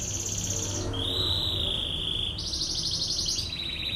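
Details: Rapid rolling canary trill, a 'tembakan ngebren' burst used for bird training, switching from a high buzzy roll to a pure steady trill, then back to a higher pulsing roll, over a low hum.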